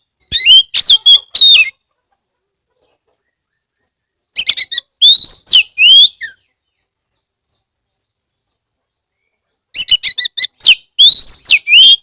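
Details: Oriental magpie-robin, a caged kept songbird from Kebumen, Central Java, Indonesia, singing loudly to lure other magpie-robins into singing: bursts of sharp whistled and slurred notes, rising and falling, in three clusters separated by silent pauses.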